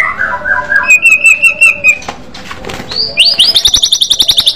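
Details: Loud aggressive fighter-style white-rumped shama song: short slurred notes, a level whistled trill, then a very high, rapid chattering trill of evenly spaced notes to the end.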